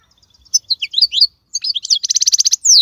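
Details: Wild European goldfinch, praised as a top singer of the 2022 season, delivering a quick high twittering phrase of jumbled chips and liquid notes, then a fast buzzy trill and a rising sweep.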